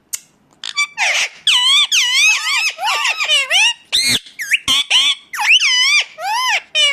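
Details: Indian ringneck parakeet calling almost continuously: a loud stream of harsh, wavering screeches with repeated swooping notes and a few sharp clicks.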